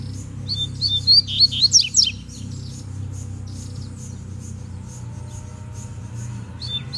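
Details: A wild double-collared seedeater in the bush challenges a rival with a fast, bright phrase of whistled notes and steep falling chips lasting about two seconds, then near quiet with a low hum and one short final note.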